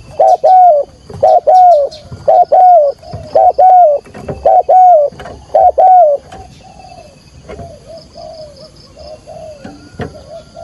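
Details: A spotted dove used as a trapping decoy gives loud, throaty cooing phrases in quick bursts, about one per second, softening into quieter, lower coos toward the end.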